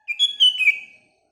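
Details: A single short, liquid whistled phrase from a sooty-headed bulbul in the morning, under a second long, several notes sliding up and down before trailing off.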